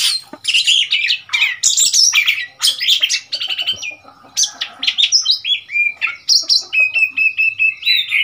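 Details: Oriental magpie-robin, a wild bird that came to the cage in Thailand on 15 February 2021, singing a loud, dense run of varied whistles, chirps and buzzy notes with scarcely a pause.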